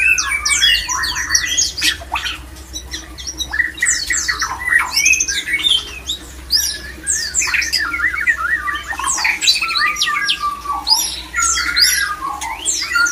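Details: Breeding-condition song of a male white-rumped shama, used to trigger mating readiness in other shamas. Long, restless medley of clear whistles, steep downward slurs, clicks and buzzy chatter, packed tightly with few gaps. A constant low electrical hum runs throughout.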